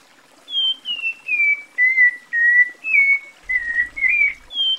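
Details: A Cocoa Thrush (Turdus fumigatus, sabiá-da-mata) in Brazil sings a steady run of about nine clear whistled notes, mostly slurring downward, at roughly two per second, with a faint low rumble near the end.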